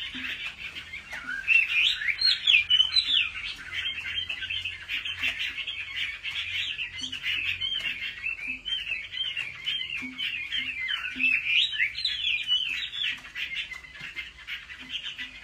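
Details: Chinese hwamei singing competitively during home training: a long, dense, unbroken stream of rapid chattering and warbling notes that swells loudest near the start and then holds steady, with soft low ticks in the background.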